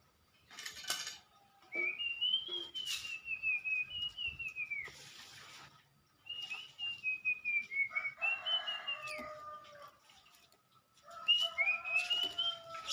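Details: Oriental magpie-robin (kacer), a first-place singing-competition winner: clear whistled phrases that rise and then slowly fall, coming in separate bursts with pauses between them. Short noisy crackles and lower tones are heard in the background.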